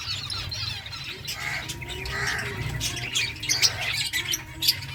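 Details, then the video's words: Finch colony eating eggfood, continuous chatter of high chirps and squeaky calls from many birds, with sharper single notes toward the end and a low background hum. "Birds chirping sounds Finches eating eggfood finches colony"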